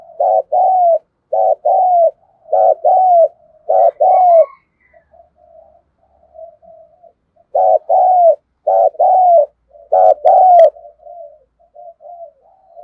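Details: Spotted dove used as a decoy to call in wild birds. It gives a steady run of soft, hollow coos in paired and tripled phrases, then a pause with faint murmurs, then more phrases.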